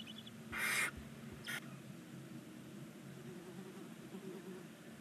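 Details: Barn owl chicks, nine in a nest box on a chimney side in Ságvár, Hungary, at nineteen days old, begging with a loud harsh hiss followed by a shorter second hiss, then quiet background hum.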